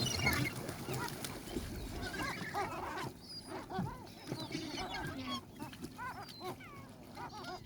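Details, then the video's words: Gulls at the sea calling over loud rushing noise. Repeated short, curved yelps from more than one bird, with a louder burst of noise at the start. "Sounds of Seagulls"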